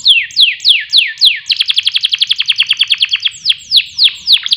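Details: Canary lure song for coaxing songbirds to sing: a few loud sweeping downslurred whistles, then a quick even trill of clipped notes, returning to slow descending sweeps at the end.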